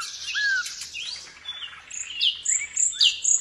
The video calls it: Nightingale song